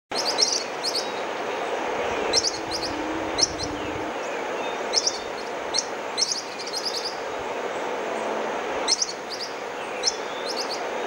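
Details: Yellow-faced Parrotlets, a critically endangered Peruvian endemic, at Balzas in the Marañon Valley, northern Peru: sharp, high, chattering chips in quick bursts of two to four notes, every second or so, over a steady hiss.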